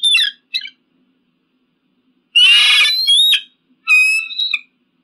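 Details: Eagle calling: two brief sharp notes, a pause, then a long harsh rasping scream that breaks into a clear high whistle, followed by another ringing, piercing cry.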